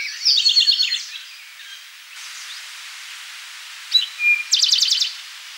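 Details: Eastern towhee singing at Rondeau Park in June 2013: a high rapid trill, then after a pause a sharp note, a short clear whistle and another fast buzzy trill.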